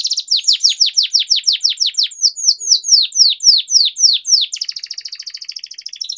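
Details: Energetic long-rolling canary singing meant as a training lure for canaries that have stopped singing: a steady run of sharp falling whistles, then a fast rattling buzzy roll at the end.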